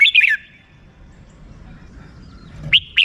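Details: Red-whiskered bulbul giving a short warbled phrase that falls away, a long quiet gap with soft background rumble, then two more clear slurred notes.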